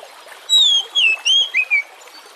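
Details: Kacer or Oriental magpie-robin, song meant as a lure for other birds: one phrase of five sweet whistled notes, wavering and dropping, with faint water in the background.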